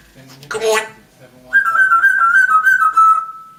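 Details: Pet African grey parrot indoors, a talking bird: a short speech-like burst, then a sustained rapid warbling whistle that steadies into a level tone.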